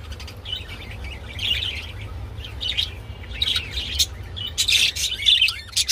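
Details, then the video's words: Budgerigars while mating give scattered short chirps and squeaky notes, growing denser and louder toward the end, over a steady low hum. "Budgie Mating and Sounds II Birds Mating Call"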